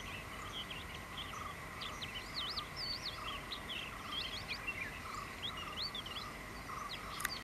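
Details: Malabar lark singing in paddy fields at Aranthode on January 17; quick varied warbled and slurred notes, rising and falling in short bursts, over a steady droning hum and background noise.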